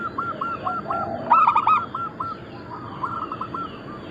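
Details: Local zebra dove of the Bangkok crossing type, one of a massed group of birds. Rapid runs of short cooing notes overlap, with one louder, rich, stuttering burst of coos standing out midway.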